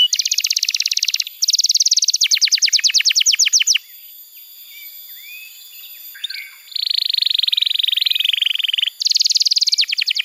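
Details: Canary song played to train young canaries and to coax quiet birds into singing. Fast rolling trills of repeated notes are broken by a quiet gap with soft twitters, then a steady buzzy trill and another rapid run.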